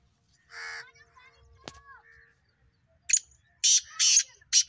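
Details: Black francolin giving a single harsh nasal note, a short gap with a faint click, then a burst of loud, scratchy grating notes at the end.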